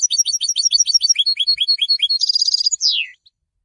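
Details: Goldfinch song after moulting: a fast series of sharp, high chirped notes, shifting lower midway, then a dense buzzy trill ending in a single downward-sweeping whistle, all delivered in under three seconds.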